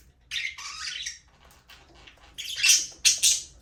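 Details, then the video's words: Budgies (Australian parrots) in an aviary: a buzzy warbled phrase, a quiet pause, then sharp high squeaky chirps in quick succession. "Budgies parrot #chirping sound"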